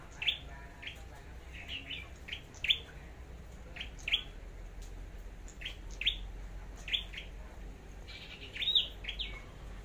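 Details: Red-headed flowerpecker from Long Thành singing competitively, a bird being trained as a decoy: sharp high chirps and short ticks, singly or in quick pairs, every second or so, over a low steady background hum.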